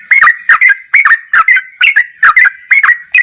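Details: Yellow-vented bulbul used as a master tutor recording, in the ropelan goklikan song style: short bubbly, slurred notes around the middle of its range, repeated about twice a second with sharp clicky overtones; no other sounds.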